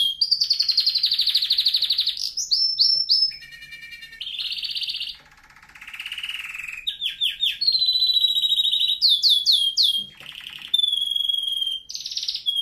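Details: Canary song for teaching canaries to sing: fast rolling trills, low buzzy rolls, quick downslurred note series and high sustained whistles, in varied tours of one to two seconds each.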